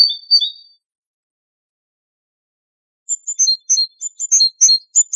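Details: Song of a great tit, its voice compared to hammering on metal: a brief opening of two notes, silence, then a rapid sequence of crisp, high, repeated chips rising and falling in pitch.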